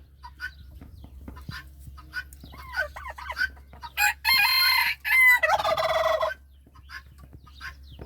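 A rooster crows with a loud, drawn-out call, answered by a turkey's fast, bubbling gobble that rattles downward for about a second. Softer clucks come before.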